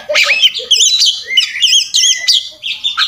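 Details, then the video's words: Oriental magpie-robin in fighting mode, puffed and persistent, singing a full, varied song: loud whistled phrases and wavering trills in quick bursts, some notes sliding up and down, with short gaps between phrases. "masteran kacer tarung ngobra ngotot full isian"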